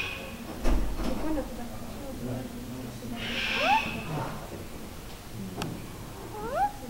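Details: Captive black-collared starling at Almaty Zoo, Kazakhstan, February 19, 2012: scattered rising whistled upslurs with harmonics, one harsh rasping burst mid-clip, and a few sharp knocks over a low indoor rumble.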